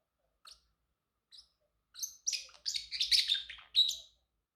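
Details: Male Pacific parrotlet kept as a pet, chirping: two brief high chirps spaced apart, then a dense, rapid run of sharp, bright, overlapping chirps building to a louder burst near the end.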